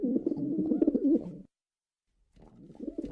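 A pigeon gives low, throaty rolling coos, a burst of about a second and a half, then a pause and another softer bout.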